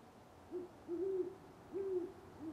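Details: Near sunrise in Parker, Colorado, on 25 November 2011, a great horned owl gives four deep, mellow hoots: a short opening note, two drawn-out level hoots, then a brief closing one, over quiet background.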